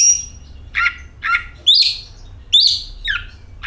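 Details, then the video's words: Song of an oriental magpie-robin, played to coax birds into singing: a high thin whistle, then scratchy notes and two loud rising whistled phrases with harsh edges. "DENGAN VIDEO INI KACER AUTO GACOR, Suara Burung Penyejuk Hari, Pancingan Kacer"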